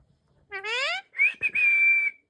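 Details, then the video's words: Talking parrot from the Samalpuri, Odia-speaking region: a rising, harmonic, voice-like sweep, then clipped syllables and a long, steady, high whistled tone. Recorded in a quiet indoor setting. "PARROT TALKING"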